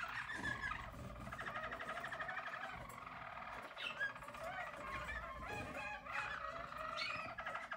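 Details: Harz German Roller canaries, yellow birds of a 2022 team, deliver a smooth rapid roll with bubbling, water-like notes and a few sharp upward whistles near the middle.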